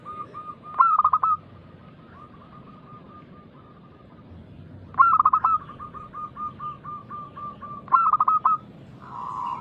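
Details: Local zebra dove singing actively in a loud, big voice, used as a lure to prompt other doves to answer. Three bursts of rapid vibrating coos, each trailing into a long series of soft, evenly repeated cooing notes.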